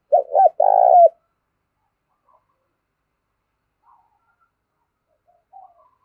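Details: Decoy spotted dove giving a short burst of two low, hoarse coo notes in the first second, then near silence with only a few faint traces.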